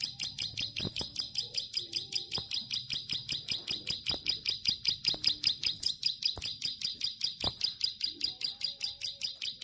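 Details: Plain prinia singing actively in a long high-pitched 'ngelik' style: a steady run of sharp, buzzy high notes repeated about two and a half times per second, with faint low background hum.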